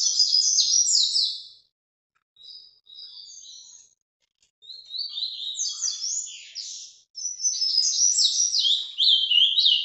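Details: Azulão, the Ultramarine grosbeak, kept by a Brazilian breeder, sings Paraná vinte vinte: a fast warbled phrase, a pause with two soft short notes, then two long bursts of high sliding whistles.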